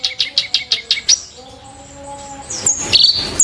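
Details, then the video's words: Clamorous reed warbler (kerak basi) singing sharp, harsh bursts: a quick series of six high chipping notes at an even beat, then a pause and a few shrill, rising whistled notes, over a faint low steady hum. "burung KERAK BASI tembakan tajam & kasar"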